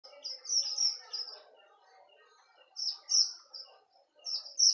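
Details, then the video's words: Strawberry finch used as a tutor bird for song training: high thin twittering notes in two bursts separated by a pause, with softer low chattering beneath. "Strobery finch burung masteran"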